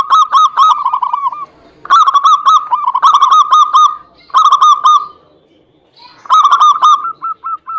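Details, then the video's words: Rapid zebra dove cooing phrases, played as a lure to get a quiet bird singing. Five bursts of quick, hooked, ringing notes are separated by short pauses, and the last phrase trails into spaced single coos. "PANCINGAN SUPER AMPUH UNTUK PERKUTUT MALAS BUNYI"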